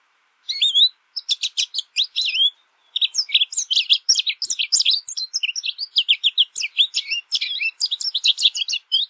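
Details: Long, rambling American goldfinch song that starts with spaced twittery phrases, then runs into a dense, rapid stream of high chirps, slurs and sharp notes.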